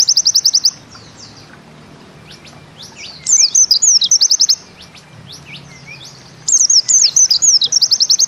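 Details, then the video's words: Short bursts of high, hurried chirps and slurred twitters from a pleci (white-eye) in bustomi style, separated by quiet gaps of one to two seconds. "Bustomi NEmbak Ziperrr Mudah DI Tiru"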